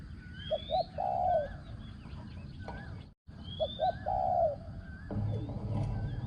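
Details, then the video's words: Spotted dove decoy bird with a small resonant voice; two coo phrases, each of short notes and then a longer rolling coo, separated by a brief gap, with high upslurred whistles from other birds and some low rustling noise. "ต่อนกเขาใหญ่ | เสียงเล็กก้อง คารม หนุนคู คูดีมาก"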